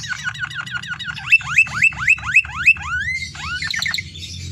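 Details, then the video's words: Canary in full song, a lure recording meant to set captive canaries singing: fast series of downward-sweeping notes, then louder rising upslurred whistles repeated about four per second, ending in quick descending sweeps; low steady hum underneath. "Masteran suara burung kenari GACOR cengkok mewah istimewa‼️cocok untuk Pancingan"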